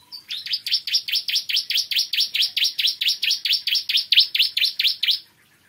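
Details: Ciblek kristal (bar-winged prinia) in a long morning song: around twenty-five loud, high, piercing chirps repeated steadily for five seconds without a break.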